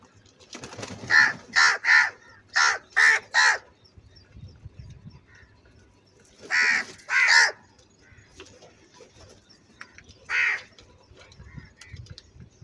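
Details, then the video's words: Angry crow giving loud harsh caws in quick bursts, five caws in the first four seconds, then a pair near seven seconds and a single later caw, over faint background noise. "Very loud voice of Crow sound - Angry kauwa ki awaz"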